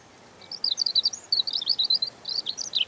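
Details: European robin in full song, a continuous stream of quick, high, tumbling notes, twittering and jumping up and down in pitch for over two seconds. There is a soft hiss behind it.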